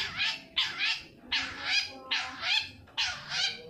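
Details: Long-tailed shrike sound used as a lure to make silent shrikes sing: loud, harsh, raspy scolding notes in pairs of bursts, repeated roughly every second and a quarter.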